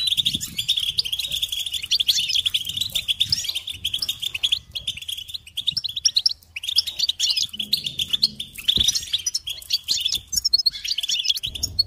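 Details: Goldfinch song played as a tape to encourage and teach captive songbirds: long runs of rapid, tinkling twitters and buzzy trills, mostly high, with brief pauses around six seconds and faint low thumps beneath.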